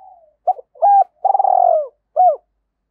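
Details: Spotted dove cooing in a challenging, rival-provoking style meant to lure wild birds in; several short hollow coos, then a longer drawn-out trembling coo and a final short coo, clean with no other sounds.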